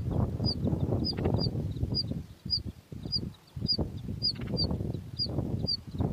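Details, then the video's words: Begging from two very hungry bush lark nestlings: a steady run of sharp, high, clipped chirps, roughly two per second, over continuous low rustling. "Singing bush lark birds The two chicks in the nest are very hungry."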